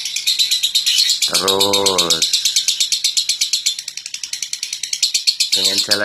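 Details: Lovebird from Central Java, Indonesia, a contest-winning singer at local and national level, keeping up a sustained high buzzy trill in quick pulses while a man speaks briefly over it.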